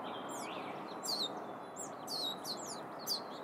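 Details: Clear, high, downward-sliding peeps of wild turkey chicks in California's Sierra foothills, coming in bursts of two or three over faint background noise.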